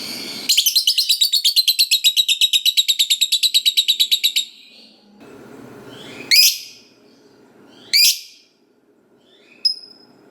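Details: Lovebird fighter giving long ngekek chattering, meant to make other lovebirds answer: a four-second stream of rapid harsh trilled notes, then two loud piercing rising shrieks and a final thin chip.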